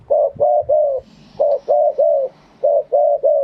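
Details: Spotted dove singing live in Thai wild-style phrasing (kharm pa thae): three clear rounds of three hooting coos each, the last note longest and sloping down, delivered in a steady rhythm about once a second.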